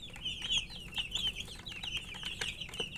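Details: Colour-dyed baby poultry chirping from thirst for drinking water; loud, piercing downward-slurred peeps from several chicks overlap closely, with scattered clicks and knocks.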